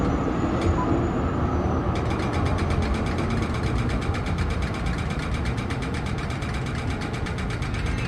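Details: A loud idling engine with rapid rhythmic vibration dominates the whole recording, with no animal calls.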